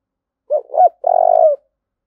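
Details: Spotted dove cooing to provoke fighting: a short low note, a whistled note, then a long burry rolling coo that falls at the end; clean, with no other sounds.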